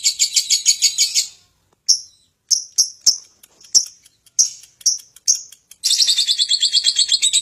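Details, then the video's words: Lovebird giving ngekek song: a short burst of rapid raspy chatter, then a pause and a string of sharp, separate high chips, ending with another fast buzzy chattering run. "Love bird ngekek tak karuan"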